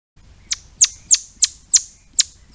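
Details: Swinhoe's pheasant giving a series of seven sharp, high, downward-sweeping notes, each a quick piercing chip falling steeply in pitch, spaced roughly a third of a second apart over a quiet background.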